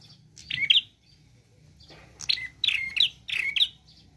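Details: Prinia in lively 'gacor' song with 'nembak' variations: a short burst of buzzy chirps, then a pause, then three rapid clusters of sharp notes around two to four kilohertz in quick succession.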